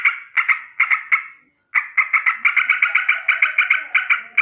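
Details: Morning danger alarm of a sooty-headed bulbul. Four harsh, scratchy notes come first, then a short pause, then a faster rattling run of repeated chattering notes to the end.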